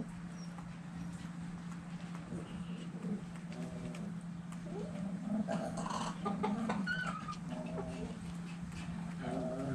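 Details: Chickens and roosters dirt bathing, giving low murmuring clucks that build into louder, irregular clucking runs, with scratching and rustling noise and a steady low hum throughout.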